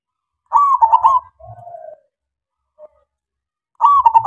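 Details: Zebra dove of local stock sings as a lure for other doves. One loud, rapidly pulsed coo phrase is followed by a long, softer, low falling coo, a tiny note, then a new loud phrase starting.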